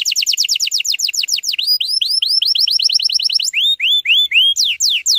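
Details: Canary song played to get young canaries singing: fast descending sweeps, then a series of rounded looping whistles, followed by slower spaced swoops and downward slurs.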